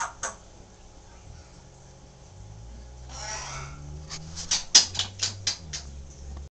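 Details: Pet green-winged macaw in another room, competing to outdo a chatting African grey, gives a harsh, rasping burst, then a quick run of five or six loud, grating squawks about half a second apart, over a low indoor hum.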